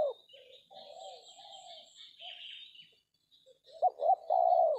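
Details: Tekukur (Spotted Dove) during a decoy trapping session in an oil palm plantation; soft distant coos, then one loud close phrase of two short notes and a long coo at the end, with high chattering of other birds.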